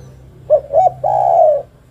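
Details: One phrase from a female spotted dove calling the male: a pair of quick soft coos followed by a long, steady, slightly descending coo.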